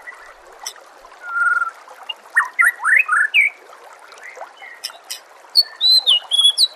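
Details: Training recording of White-rumped shama with nature ambience and flowing water: a long level whistle, then a burst of rising and falling slurred notes, ending in high thin twittering phrases over a constant watery hiss.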